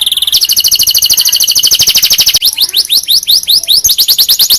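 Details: Canary singing as a tutor for other canaries: a rapid continuous high trill that breaks into slower repeated sweeping notes, shrill and dense throughout.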